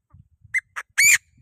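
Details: Chinese francolin calling to provoke rival birds: two brief sharp notes, then one loud, rasping, strident call, with faint low rustling beneath.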